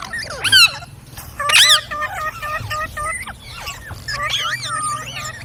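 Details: Parrot mimicking human speech, two loud harsh harmonic calls early on, followed by a string of wavering, voice-like syllables at a moderate pace over a soft low hum.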